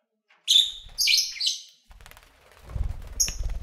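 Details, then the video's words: Lovebirds singing and playing, recorded February 8, 2019: loud harsh chirps and a buzzy squawk, followed by low rumbling handling noise under one thin high whistle. "1 Hour Lovebird Sounds"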